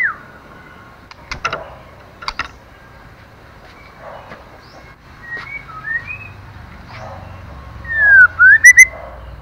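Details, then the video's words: Female white-rumped shama singing to arouse a male: faint scattered whistles and a few dry clicks, ending in a loud, quick run of ringing whistled notes that swoop down and up. "Choè lửa mái kích trống hay nhất"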